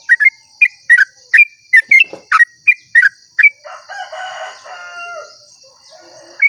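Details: Sooty-headed bulbul at dawn in long 'ropel' song, used to coax other bulbuls to sing: quick, rounded, whistled notes about twice a second, then a rooster crows, over a steady high insect hum.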